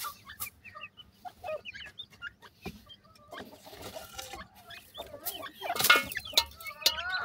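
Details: Chicks of the grey francolin, called dakhni teetar, giving brief thin peeps and chirps at an uneven pace, growing busier near the end, with clicks and rustling noise in between.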